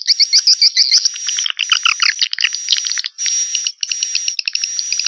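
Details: Swiftlet lure sound from 2021: rapid high chirps repeated quickly at first, then a softer buzzing twitter over a thin steady high tone, broken by short pauses.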